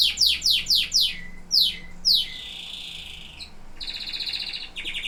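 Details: Singing canary delivers a run of quick downward-sweeping whistled notes, about five in a row, then two slower sweeps and a drawn-out tone, ending in pulsed rattling trills.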